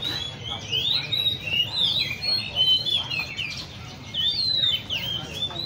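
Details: Oriental magpie-robins kept in cages at a park bird cafe (Le Thi Riêng park) sing in a dense chorus of clear, slurred whistles and rapid rising-falling notes, with low background hum.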